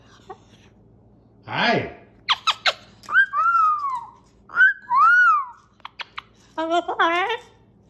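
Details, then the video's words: Pet cockatoo hanging upside down while talking and laughing with its owner: a rough rising squawk, short sharp clicks, two drawn-out arched whistles, then a burst of rapid harmonic squeaks in a small quiet room. "Laughing and Funny Talk, whoa Upside Down!!"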